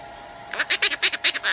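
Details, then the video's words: Red-shouldered macaw playing peekaboo gives a quick run of about eight harsh, raspy syllables in under a second, like clipped mimicked speech, after a quiet start. "RED SHOULDERED MACAW PLAYS PEEKABOO"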